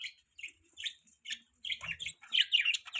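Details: Budgerigar giving short, high, clipped chirps, sparse at first and then tumbling faster into squeaky chatter over three seconds.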